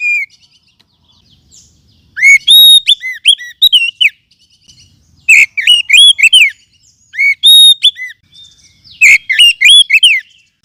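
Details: Wild forest oriental magpie-robin, used as a lure sound and for training other songbirds: three loud bursts of bright whistled notes, rising and falling slurs with sharp chirps, each burst about a second long and spaced roughly two to three seconds apart.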